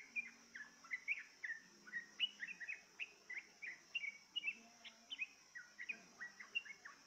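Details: Yellow-vented bulbul being lured into song with playback; a lively run of short, bouncing chirped notes, rising and dipping, delivered several per second, with a persistent high-pitched hum behind.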